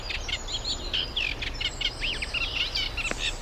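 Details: Reed warbler singing at a wetland nature reserve in the UK during the nesting season as pairs form; a run of chirpy, churring phrases with looped whistled notes, steady and hurried, with a low hum beneath.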